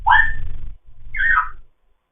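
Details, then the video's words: Foster African grey parrot chatting in the morning: two slurred whistled notes, the first rising then falling, the second a bright falling whistle, over a low rumbling background. "having a morning chat"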